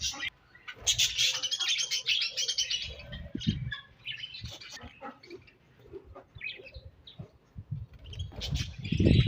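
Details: Budgerigars in a colony at morning, giving busy scratchy chirps and twitters, loudest early on, mixed with low thuds and wing-like flutters throughout.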